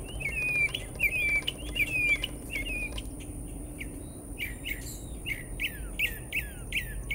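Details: Mockingbird singing in Americus, Georgia: several repeated whistled phrases, then a switch to a new series of quick downward-swept chirps repeated in rapid succession, typical phrase-changing delivery, with low background hum.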